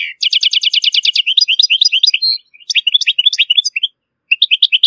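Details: European goldfinch from Morocco, clean tutoring song for chicks and hybrids: rapid metallic trill opening, then jumbled liquid twitters in short bursts separated by brief silences.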